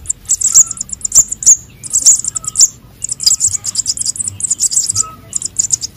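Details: Sunbird chicks (konin and sogon) calling, played to lure birds. Dense, high-pitched chipping in long rapid series that barely pause, with a few louder sharp notes standing out and a soft low background hum.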